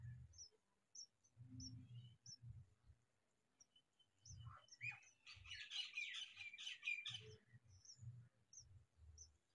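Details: A male and a female house sparrow with their young give sharp high chirps, then a burst of dense, excited twittering in the middle, over low thumping and rumbling noise throughout.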